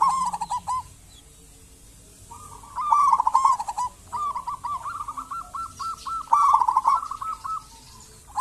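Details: Singing local zebra dove, its voice played as a lure to set other zebra doves singing: a warbled trill swelling from soft to loud, then long trains of clipped, repeated coo notes, with a loud phrase about every three seconds.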